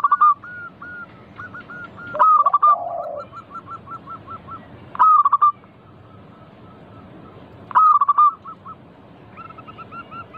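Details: Lively local zebra dove used as a lure for other doves: four loud bursts of fast, pulsed cooing spaced a few seconds apart, with trains of quieter coos in between and one lower, mellow phrase early on.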